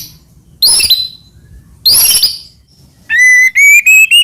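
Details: Murai batu, the white-rumped shama, used as a master song: two loud buzzy high bursts, then a series of clear rising whistled notes repeated quickly in a steady ringing sequence.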